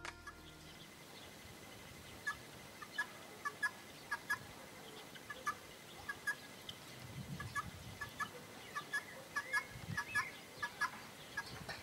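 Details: Feral Helmeted Guineafowl, one of a flock that had gone wild and stayed near a henhouse for about two weeks, calling up close in the morning: short, harsh, clipped notes in quick pairs and bursts with a faint steady whine behind.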